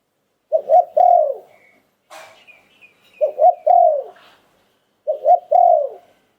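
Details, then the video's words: Spotted dove in liu tan song style, an auspicious bird, repeats a low three-part coo phrase three times at steady intervals, ending in a long descending note. A brief high chirp sounds after the first phrase. "หลิ่วตัน คารม นกมงคล เสียงนกเขาใหญ่"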